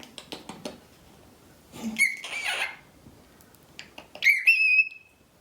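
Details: A talkative male pet cockatiel chatting to himself in a bathroom mirror gives two bursts of squeaky mimicked phrases, apparently saying his own name, each ending in a long bright whistle, with the owner's soft voice and quiet clicks between.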